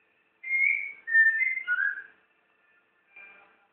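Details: Caged white-rumped shama (murai batu) in Jakarta, Indonesia, singing on its first day: a string of clear, sweet whistled phrases stepping down in pitch over about two seconds, then a short softer whistle after a pause, in quiet surroundings.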